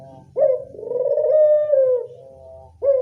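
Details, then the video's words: Local Barbary dove call used as a lure to attract doves: a sudden rolling coo that swells into a long, smooth, slightly falling note, fading out before a fresh coo starts at the end. "Pancingan burung puter lokal"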